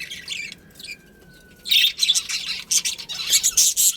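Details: Budgerigars from a colony breeding pair are quiet apart from a thin steady whistle, then break into loud, rapid, rasping high chatter with several notes a second.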